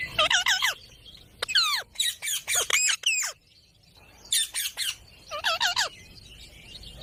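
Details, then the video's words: Green pet parrot letting out clustered harsh, harmonic squawks, each group of three to five notes sliding downward, separated by short silences. "Parrot Talking video| Green Parrots moments"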